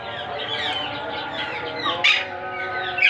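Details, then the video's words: Baby monk parakeets begging while being fed: a continuous run of scratchy, wavering chirps and squawks, ending in a sharper, louder screech, with steady tonal hum underneath. "Monk Quaker parrots babies growth feeding"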